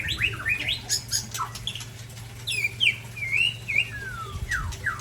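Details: Ujong Pancu and Tangse white-rumped shamas sparring. Scattered sharp upslurred chirps and long downslurred whistles sound over a low background hum.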